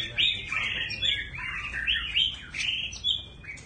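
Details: White-rumped shama singing with a continuously changing voice: bright whistled and warbled phrases, rising and falling, delivered in quick succession with little pause over a quiet background.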